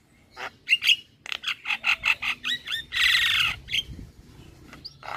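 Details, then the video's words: Starling (jalak), used as a lure bird to get silent caged starlings singing again: a fast run of harsh, buzzy, repeated chattering notes, a loud rasping squawk near the middle, then a few whistled upslurs and softer clicks. "Terapi Burung Jalak Macet Bunyi / Jalak Pikatan Bikin Cepat Gacor"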